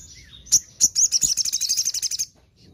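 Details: Morning song of a crimson sunbird, singing busily: two thin high chips, then a rapid, slightly uneven run of piercing high twittered notes for about a second and a half before it stops.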